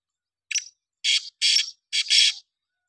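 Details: Black francolin (titar) calling, recorded dated 2/10/2023: one short harsh note, then four loud, grating, noisy bursts about half a second apart, the last a doubled phrase, against an otherwise silent background.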